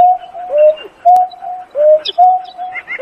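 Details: Low mellow hoots from a Painted-snipe calling to its flock: level drawn-out notes alternate with shorter arched ones. A sharp click and brief higher chirps from another bird also sound.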